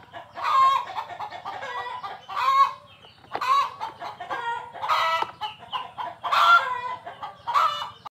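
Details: Chickens calling: a run of harsh, nasal clucks and squawks, several birds overlapping in rough bursts about once a second, with a low steady hum beneath.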